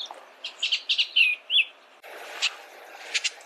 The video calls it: Bullock's Oriole Bird Sound, Bird Song, Bird Call, Bird Calling, Chirps